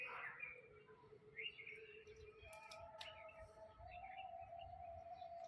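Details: African grey parrot playing on a tree branch and chewing wood; clear tonal whistles, some held level, some sliding upward, with brief harsher notes over a low background hum.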